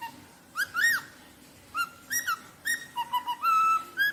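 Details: Rosella song: a series of clear whistled notes, some flat and some rising or arched, given in short bursts with pauses between, a few quick notes near the end; quiet background.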